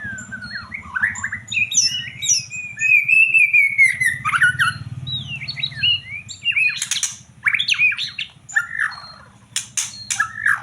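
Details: White-rumped shama in full song: fast, varied stream of whistled slurs, sweeping notes and harsh high chatter, continuous and energetic, over a steady low hum.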